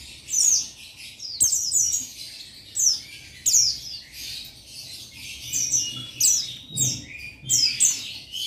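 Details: Male Buxtoni Oriental white-eye (pleci) singing to draw a rival: very high, thin twittering phrases with quick downward-sliding whistles, burst after burst roughly every second, loud and clear over a quiet background with a single sharp click.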